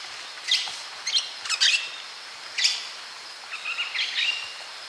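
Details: White-eared parakeet calling while feeding: short, sharp, high squawky notes given singly and in quick pairs, ending in a run of fast chattering notes; background otherwise quiet.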